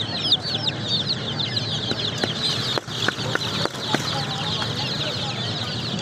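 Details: Chorus of baby chicks peeping: high, thin chirps crowded together, broken by several sharp clicks or taps in the middle, with a low background hum.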